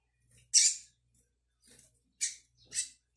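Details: Young brown Double-collared Seedeater learning the tui tui song, 22/05/22: four scattered, short, high scratchy notes with silence between, the first loudest.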